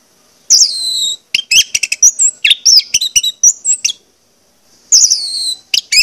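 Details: Orange-headed thrush singing, used as a lure recording to get birds singing: quick, dense strings of sharp, high whistled and clicking notes, loud and varied, broken by short silences.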